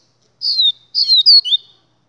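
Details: Three quick bursts of high, twittering, down-slurred notes from a double-collared seedeater (papa-capim), the last phrase ending in a lower rising slur. Quiet background.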